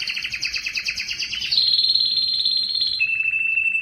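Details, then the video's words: Canary song meant to excite males into song: a fast two-toned rattling trill, then a smooth high sustained trill that steps down to a lower steady tone. "صوت كناري مميز لتحفيز الذكر على التغريد"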